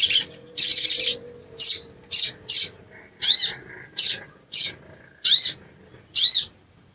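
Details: High-pitched sogon singing, meant as training material for caged birds: a series of short buzzy bursts, each about a half second long, several with quick dipping and rising sweeps, over a faint low hum.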